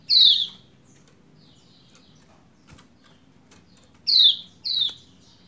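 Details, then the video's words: Female Lombok white-eye giving 'ciak' calls to urge a male into song: three sharp, downslurred chirps, one at the start and a close pair near the end, separated by quiet with a faint low hum. "Ciak Ciak Pleci Lombok Betina Memanggil Jantan Supaya Cepat Gacor"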